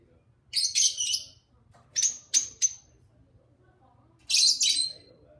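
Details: Pet lovebird pair chattering with their owner: bright, shrill chirps in quick clusters, a double burst, then rapid single peeps, then another buzzy burst, in a small quiet room.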